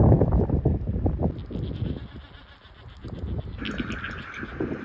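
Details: Black-browed Albatross at a nesting colony on Saunders Island, Falkland Islands, in December, sitting curious about 3 ft away: harsh, bleating, goat-like brays in rapid bursts, then a higher nasal drawn-out note, over heavy wind rumble and colony noise.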